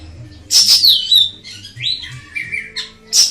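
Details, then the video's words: Ashy tailorbird master song: a loud high burst falls into a steady whistle, followed by softer sliding whistled notes and one more sharp high note at the end. "Kicauan Burung Siri Siri"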